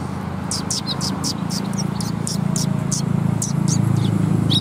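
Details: Sparrows gathering for food at a Tenmangu shrine, 14 March 2021, give a steady series of short, high chirps about three to four per second, over a constant low rumble.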